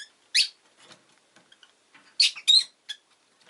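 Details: Rosy-faced lovebird (Agapornis roseicollis) giving sharp, high, squeaky chirps: a single loud note, then a quick pair of harsh chirps with softer rustling and faint ticks between.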